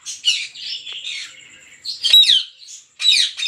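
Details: Rose-ringed parakeets at a breeding farm with 400 pairs, giving harsh, broadband screeching squawks in bursts, with a long strained middle note and loud shrill calls near the end.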